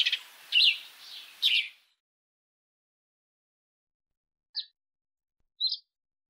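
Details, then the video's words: Sparrow from Africa chirping in a quick burst of three notes over a faint hiss, then silence, followed by two isolated clipped chirps. "Воробей. Африка. Голоса птиц"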